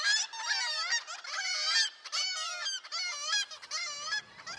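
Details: Black-legged kittiwake colony on a point, agitated while feeding chicks: many nasal, wailing 'kitti-wake' calls, which gave the species its English name, overlap in rising and falling phrases with barely a pause between callers.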